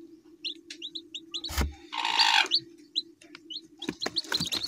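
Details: Domestic chicken chicks giving short, high, rising-falling peeps in quick irregular bursts, with a brief rushing noise midway, a few clicks, and a steady low hum beneath.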